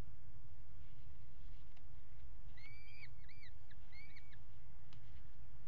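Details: Peregrine falcon at a water tower nest box, 5 February 2018, nest camera, mating on the ledge: a brief burst of three or four thinner, fainter ringing calls midway, with low rumbling noise and a few knocks throughout.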